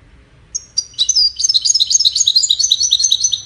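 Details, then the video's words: Singing goldfinch, song tied to courtship and communication: a couple of thin, high introductory notes, then a quick, busy cascade of liquid twittering that runs on steadily. "Witness the Majestic Goldfinch Singing"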